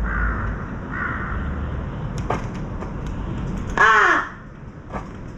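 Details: Crows, a parent with a fledgling born May 2024 that begs to be fed with kaa-kaa calls, approach from a distance: two faint distant caws, then a loud, close, rasping caw, with low background rumble and a few clicks.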